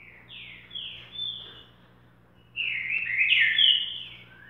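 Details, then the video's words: Green-winged saltator singing boca mole song: soft, sweeping whistled notes at first, then after a brief pause a louder, fuller warbled phrase, with a steady low hum behind. "CANTO BOCA MOLE"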